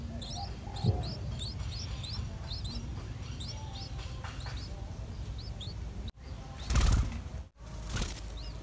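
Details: Seven-day-old yellow-vented bulbul chicks in the nest give thin, high, rapid chirps repeated over several seconds as their mother feeds them insects, followed by rustling wing flutters, over a steady low rumble.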